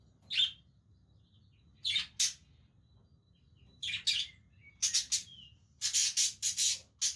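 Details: Parakeets at play with each other utter spaced single harsh chirps, then a faster run of rasping, scratchy notes toward the end, with a faint whistle between calls.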